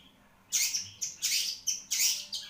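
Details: Caged long-tailed shrike of the Marlboro type giving loud, harsh, buzzy bursts, five or six separate rasping notes in quick succession with short pauses between them.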